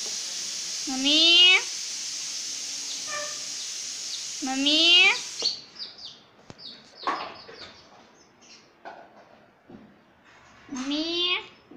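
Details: Talking green rose-ringed parakeet, a pet ringneck, saying "mummy" in three strong, bright, upward-sweeping nasal calls spaced several seconds apart, with softer squeaks, clicks and brief chatter between them indoors.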